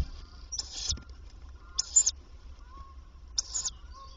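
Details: Tawny owl at a nest box, where the female comes by day to feed the young, 27 May 2023: three short, hissing, high bursts about a third of a second long, spaced over a second apart, over a low steady hum.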